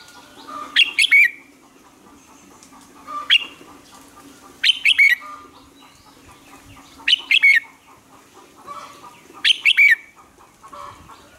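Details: Morning training song of a Red-whiskered bulbul: five similar loud, liquid warbled phrases roughly every two and a half seconds over a low steady hum, with softer chirps between them.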